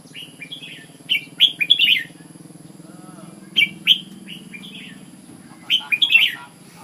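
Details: Red-whiskered bulbul singing: three bursts of short, bright, liquid whistled notes, each phrase a quick run of four or five rising and falling syllables, separated by pauses of about two seconds, over a steady low hum.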